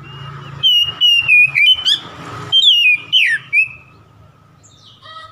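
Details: Oriental magpie-robin song used as a fast lure to provoke a rival: loud clear whistles near steady pitch, broken into about eight rapid bursts with slurred, dropping notes, then a quiet pause with a faint low hum and brief notes at the end.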